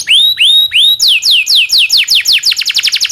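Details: Canary training song: three long upward-curving whistles, then a run of falling whistles that speed up into a quick rolling series.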